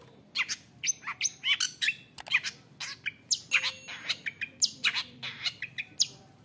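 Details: Long-tailed shrike singing a rich, varied song of imitated phrases meant to provoke rivals: quick chirps, short whistles and clicking notes tumble in rapid, uneven succession over a quiet background.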